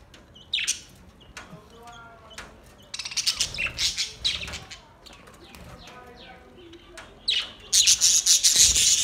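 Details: Budgies singing on August 4, 2023: sharp high chirps and scratchy bursts come in uneven clusters with short pauses, ending in a dense, loud, rapidly pulsing buzzy chatter.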